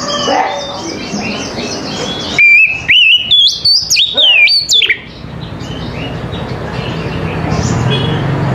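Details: Morning song of an Oriental magpie-robin used to spur other magpie-robins to respond: after a noisy start with faint background calls, a two-second volley of loud, ringing whistles stepping upward and slurring down, then steady hiss.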